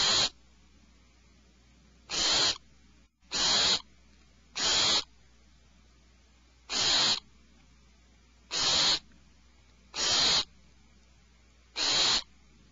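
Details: Alarmed owlets in a nest cavity give harsh, hissing screeches, each about a third of a second long, eight of them at uneven gaps of one to two seconds, over a low steady hum.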